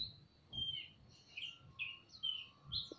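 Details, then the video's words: Male and female magpie-robins answering each other in a semi-natural aviary while fanning their tails: short whistled phrases around mid-high pitch, some falling, others with buzzy edges, coming in bursts every half second or so, faint low rumble behind. "Burung kacer gacor saut sautan di kandang aviary semi alam (ngobra)"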